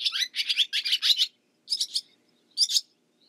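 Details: Barn swallow twitter: a quick run of high chirps, a pause, then two short bursts of similar notes.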